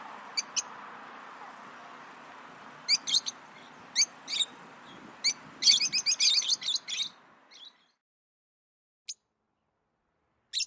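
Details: Chirping lovebirds, a sound they make when playing, eating or excited: scattered single high chirps, then a dense tumbling burst of notes, over a hissing hum that stops abruptly, leaving isolated chirps in silence.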